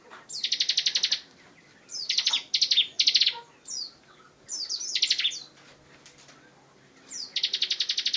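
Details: Bar-winged prinia (ciblek) singing a lively, energetic song: fast buzzy trills of rapid repeated notes alternating with short sharp descending chirps, in bursts about every second or two.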